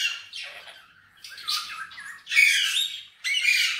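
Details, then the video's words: Pet green Indian ringneck parakeet, noted for talking and whistling in Urdu/Hindi, utters a series of four grating, buzzy squawks of varying loudness, separated by short gaps. "Indian Ringneck Parrot Talking And Whistling"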